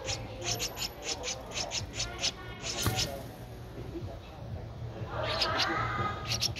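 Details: Thirteen-day-old Streak-eared Bulbul nestling in Ubon Ratchathani, Thailand, 15 April 2023: a run of quick high chips, then a lull with soft rustling, ending with fainter chirps amid low hum.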